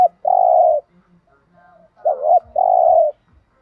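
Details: Spotted dove cooing in the thúc gù style used to encourage captive doves to call: a long steady coo, a pause, then a dipping note leading into another drawn-out mellow coo.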